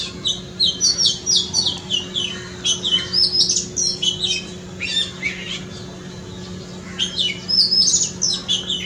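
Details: Oriental magpie-robin singing in a front yard: a long run of varied, rich whistled phrases and sweet chirps, high and bright, delivered in quick bursts with brief pauses, steady faint hum underneath.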